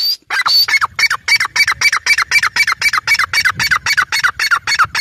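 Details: Female grey francolin in a fast, insistent series of clipped, harsh notes, roughly four per second. The notes are even and rasping with a slight downward inflection, delivered loudly and without pause after a short higher squeal at the start.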